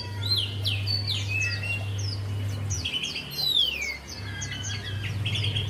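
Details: Javan white-eye singing for use as a lure to get a quiet bird to sing; a stream of quick, high whistled notes and a prominent falling slur mid-way, with low humming noise beneath.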